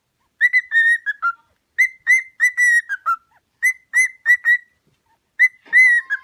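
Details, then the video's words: A pet cockatiel's song for teaching cockatiels to sing: clear whistled phrases of several short level and falling notes, repeated three times with brief pauses in between. "Training Cockatiel to singing"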